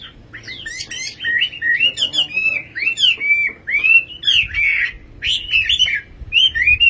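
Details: Nightingale singing: a lively run of clear whistled phrases, with slurred up-and-down notes and short warbles that follow each other with brief pauses, over a faint low hum.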